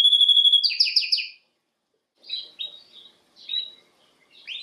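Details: Canary (Serinus canaria) training song: a bright rapid trill and a few sliding notes, then short soft chirps separated by silent gaps.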